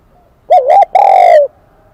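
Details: Wild-caught spotted dove singing in the high-pitched 'kim đồng' voice style: a short wavering double coo followed by a longer, slightly falling hollow note, all clean against near silence.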